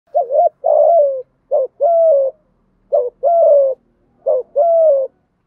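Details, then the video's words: Spotted dove, a cooing male of the thổ voice type, delivering clear low coos in four phrases, each a short note followed by a longer drawn-out falling coo, evenly spaced over a quiet background. "cu gáy thúc gù giọng thổ cực đỉnh giọng hạp bổi và nhanh về cội"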